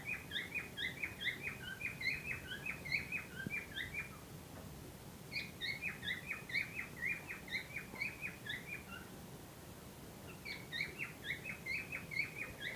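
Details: Cockatiels, a pair described as ready for breeding, give bursts of rapid chirping notes in three runs separated by short pauses, over soft low background noise.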